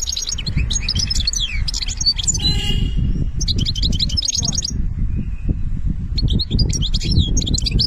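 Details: European goldfinch singing the Algerian benna style, three bursts of fast, tinkling twitters and buzzy jangles separated by short breaks, over a loud low rumble.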